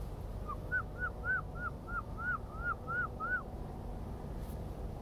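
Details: A Herring Gull (Larus argentatus) gives its long call, about eleven short, arched yelping notes at roughly three per second, over a low rumble. Recorded by water near the coast in an industrial shipbuilding area.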